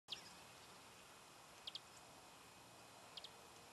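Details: Many-colored chaco finch (Saltatricula multicolor) at Villa de Soto, Córdoba, in May 2012, giving brief, high chip notes, a single then quick pairs, about every second and a half, over steady hiss.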